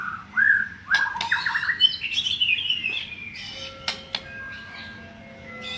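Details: White-rumped shama of the Murai Blorok variety, also called Murai Medan, singing a quick burst of rich, varied whistles and warbles with sliding notes for about three seconds. Quieter scratchy notes and steady faint tones follow.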